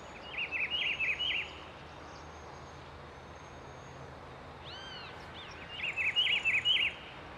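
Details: Wild Rufous-browed peppershrike at Itatiba, São Paulo state, Brazil, morning of 17 August 2024, filmed on a Nikon D5600: two repeated rich warbling phrases of quick looping whistles separated by a pause, with a brief thin call from another bird between them.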